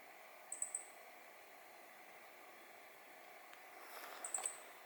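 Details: A meadow bunting in mid-November 2020 gives two quick bursts of very high, thin ticking notes, three or four at a time, over a steady background hiss.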